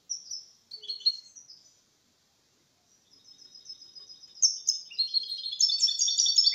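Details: Goldfinch-canary mule in captivity with a clean Malaga copy song, played to encourage males and tutor young birds; twittering phrases, a pause, then rapid high repeated notes rising into a loud bright trill.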